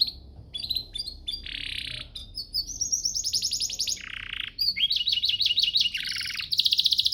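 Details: Canary master song for training canaries to sing actively: a fast, varied run of high chirps, buzzy trills and rapid repeated notes, switching phrase types every second or so, with loud rattling rolls near the end.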